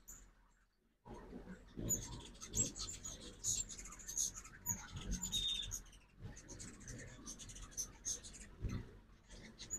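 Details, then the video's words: Several ruby-throated hummingbirds at a feeder during fall migration, morning, Oxford, Mississippi; after a second of quiet, a steady run of sharp high chips and brief squeaky notes mixes with soft patter and low rustling. "2024 Hummingbird Fall Migration Morning Part 1"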